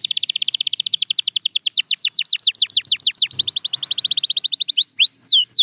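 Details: Canary singing used as training sound for quiet birds: a long run of rapid repeated notes slowing into loud descending whistled sweeps, then a fast even trill and a few sharp up-and-down notes.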